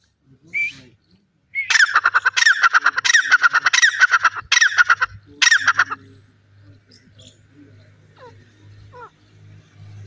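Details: Grey francolin, named locally as teetar or dakhni teetar, giving a loud, harsh series of rapid repeated notes in bursts for about four seconds, then quieter faint calls over a low steady hum.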